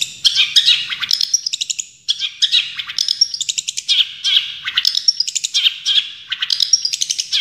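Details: Tutor song of a champion long-tailed shrike: a continuous, scratchy chatter of rapid bursts, mixing harsh notes with high whistled trills, with barely a pause throughout.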